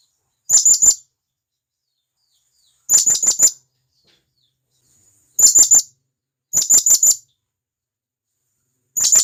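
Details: Blue-crowned hanging parrot, a wild forest bird, calling its companions: five short bursts of three to four piercing, high-pitched chips in quick succession, repeated every one to two seconds against silence.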